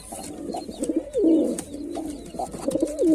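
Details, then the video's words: A male white pigeon gives low, throaty rolling coos, each swelling and dipping in pitch, about one every second and a half, in a small indoor space. "Pigeon Sound Effect || Male Pigeon Super Performance"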